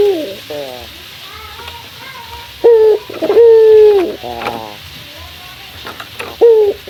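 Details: Morning call of a male local Barbary dove toward a rival: quiet rolling purrs, then brief and long low coos, the longer ones steady before dipping, with light clicks in the background.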